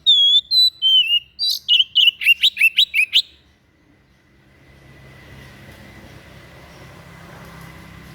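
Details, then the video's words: White-breasted bird with an unusual song used for training songbirds: clear high whistles, then a quick string of short chirping notes for about three seconds, followed by quiet with faint low hum. "SUARA ANEH SI DADA PUTIH, BAGUS BUAT MASTERAN"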